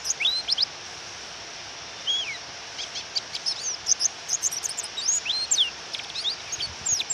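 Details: Female white-eye (pleci) calling to provoke a male into singing, in rain: scattered bursts of thin, very high, quick downslurred chirps in loose clusters, over a steady rain hiss.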